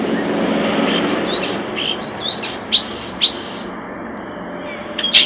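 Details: Common starling singing by a nest box: a run of whistled slurs, rising and falling, mixed with sharp clicks and a long thin whistle, ending in a harsh burst.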